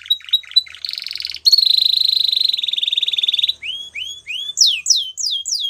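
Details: Spanish Timbrado canary song: a few clipped high notes, then a long, bright, rapidly pulsed metallic trill, ending in separate falling whistled slurs repeated about twice a second.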